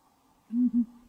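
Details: Southern ground hornbill giving two deep, resonant booming hoots in quick succession, low and humming, in an otherwise quiet setting.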